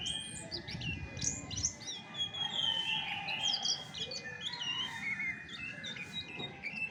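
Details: Original song of a chestnut-backed thrush, a continuous twittering mix of high chirps, buzzy notes and short whistles, with soft low thumps at the start and a steady faint high tone.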